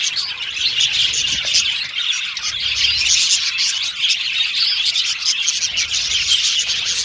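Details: Australian budgies chirping and singing together, loud steady chatter of overlapping tweets, warbles and short squawky notes filling the whole stretch.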